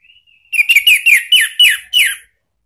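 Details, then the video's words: Ngeplong lure song from an orange-headed thrush, aimed at getting a caged bird to reply: a quick string of about seven loud downslurred whistled notes, evenly spaced, after a faint thin lead-in whistle. "jangan heran kalau ANIS MERAH mu seketika NYAUT ¦ PANCINGAN NGEPLONG"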